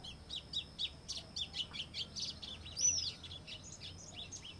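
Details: White-throated seedeater (golinho), Sporophila albogularis, singing: rapid series of short, high chirpy notes in a fast varied warble, with one louder sweeping whistle near the end and a faint steady hiss behind.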